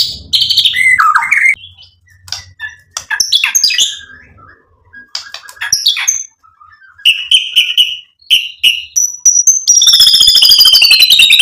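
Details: Murai batu, the white-rumped shama, in a lure song to provoke and excite: varied whistled and chattering phrases separated by short pauses, ending in a sustained high buzzy trill.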